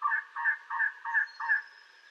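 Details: Elegant trogon in southeastern Arizona giving a series of five hoarse, croaking notes, each about 0.3 seconds apart, low and resonant with a doubled tone; a faint high thin whistle from another bird runs above.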